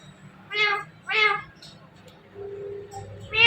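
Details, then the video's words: Rose-ringed parakeet talking, saying "Mithu": two short harmonic, voice-like syllables about half a second apart, then a longer low tone and a final burst, over a low steady hum. "Talking Parrot Saying Mithu Mithu"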